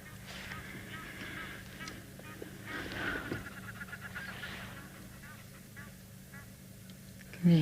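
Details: Guineafowl give harsh, repeated cackling calls in bursts, with a man talking quietly nearby, on an afternoon game drive on 26 July 2021 at a South African reserve (Ngala or Phinda), elephants nearby and a few birds on a dam wall.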